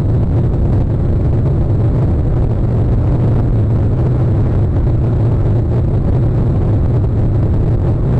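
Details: Constant deep rumbling noise like wind buffeting a microphone, without any animal voice.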